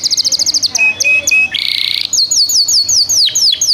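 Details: A canary wearing a 2025 ring sings rapid high notes and short flat whistles. A harsh buzzy roll follows, then a series of looping downslurred chirps.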